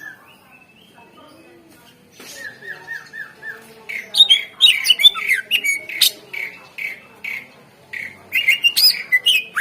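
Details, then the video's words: Greater green leafbird lure song meant to make reluctant birds sing: a soft start, then a run of repeated rolling whistled notes, building into a loud, fast, varied chatter of squeaky slurs and sharp chips. "Suara Pancingan CuCak Ijo / Murai Ijo Gacor Ampuh Bangat Burung Pancing Burung Yang Macet Suara"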